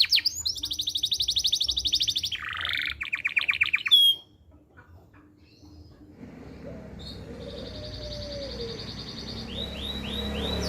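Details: Canary valued for its persistent singing, used for tutoring young birds and prompting females to breed, gives a high buzzy trill and a rapid repeated phrase, then falls quiet to background hiss before faint sweeping notes return.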